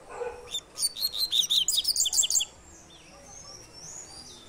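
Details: Double-collared seedeater, "tui tui" three-note song: a quick volley of bright, high chirps repeated rapidly for under two seconds, followed by silence with faint background noise.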